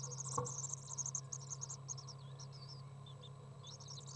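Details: Young common swifts, three in a nest box, begging while fed on 15 June 2011; shrill rapid squeaky trills, stronger in the first half, then scattered thin descending notes, with a knock and low hum beneath.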